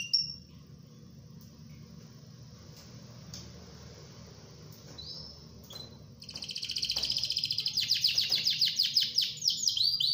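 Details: Canary used as a master singer for teaching other canaries: a few scattered high chirps and a brief whistle, then a loud, dense, high trilled ngerol roll with rapid pulsing that carries to the end.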